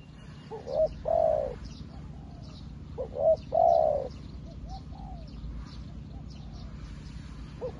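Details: Spotted dove decoy calling to wild doves outdoors: two short coo phrases, each quick rising notes then a longer low coo, over steady low rumbling background noise and faint chirping of other birds.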